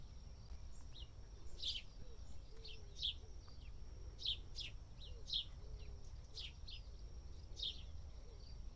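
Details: A house sparrow dust bathing in India gives bright, sharp chirps, singly or in quick pairs, roughly once a second, over a steady thin high whine and low background rumble.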